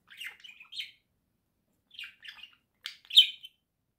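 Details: Pet budgerigars, a pair in a cage at home, November 2024, singing in short bursts of buzzy, twittering chirps, with a pause in the middle and a louder squeaky note near the end.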